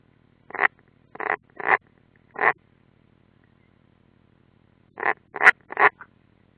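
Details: European roller at its nest at the Ādaži training ground, 30 June 2016, from a live nest stream: two bursts of short, harsh, rasping calls, four then four, with a quiet pause between and a faint low hum beneath.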